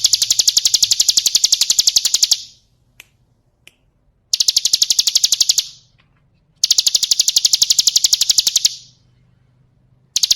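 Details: Female bar-winged prinia calling to males, used as a lure: long bursts of quick, sharp, high ticking notes repeated several per second, separated by pauses with a few faint taps.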